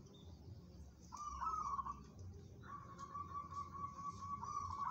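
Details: A local zebra dove bred for competition delivers a long, sustained purring trill that wavers slightly and runs unbroken for nearly two seconds after a shorter opening phrase; faint low hum behind.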